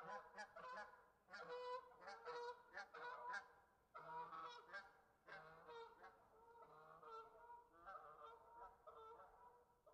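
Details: Wild geese honk in loud, nasal, harmonic bursts, several calls overlapping in quick irregular runs.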